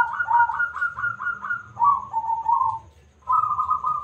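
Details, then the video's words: Loud local zebra dove singing as a lure for other doves: about six quick, rising coo notes in a row, then lower rolling coos, a pause, and a steady purring final phrase, with faint low background rumble. "Perkutut Lokal Gacor Suara Besar - AMPUH Buat Pancingan - NYAUT!!!"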